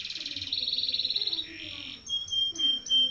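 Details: Canary performing a long-duration rolling song, played as a tutor recording: a fast, high rolled trill for about a second and a half, a lower buzzy stretch, then sharp whistled notes about every third of a second.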